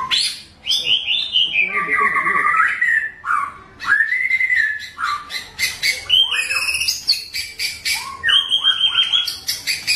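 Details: White-rumped shama of Bahorok, wild in the forest: rich whistled song with long rising and falling slurs, short melodious phrases, sharp high chips and quick trills, well spaced and varied.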